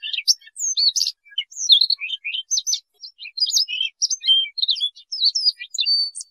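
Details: Rubythroat song played for bird trapping: a long, hurried run of high twittering and whistled notes, scratchy chatters mixed with clear upslurred and downslurred phrases, barely pausing.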